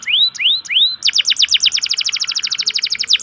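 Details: Local canary singing a lure song for lazy singers. It opens with three slow rising whistles, then switches to a rapid, evenly repeated trill of short downslurred notes.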